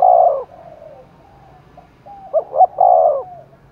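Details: Spotted dove in Đồng Nai, Vietnam, cooing while roused for a contest: a loud, low mellow coo, a softer trailing coo, then two quick short notes leading into another long, full coo.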